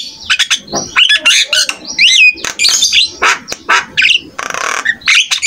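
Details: Jalak kebo starling in full varied song, meant to prompt other starlings to reply: mixed harsh squawks, gliding whistles, buzzy noisy bursts and chatter.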